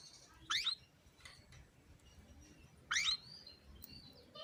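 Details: Female canary calling to prompt males to sing: two short, bright, rising chirps about two and a half seconds apart, over a quiet hiss with faint scattered ticks.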